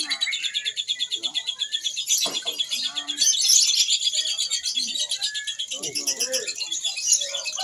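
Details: Lovebird at a Mahadewa practice songbird contest, single-fighter class. A steady, fast, high, buzzy chirp trill continues throughout, with brief whistles and soft murmuring voices behind.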